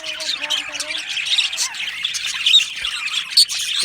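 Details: Budgerigars chatter in an aviary, dense high scratchy warbling and chirping from many birds, with a brief lower tonal note near the start and a few sharp clicks.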